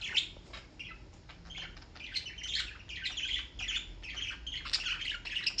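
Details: Small pet birds in New York chirping continuously, a dense chatter of high squawky and tweeting notes overlapping throughout, with no pause between bursts.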